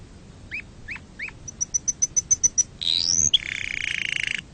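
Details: Canary song for teaching young canaries to sing: three slurred chirps, then a fast run of about eight high pure whistled notes, a rising sweep, and a rapid buzzy trill held to the end.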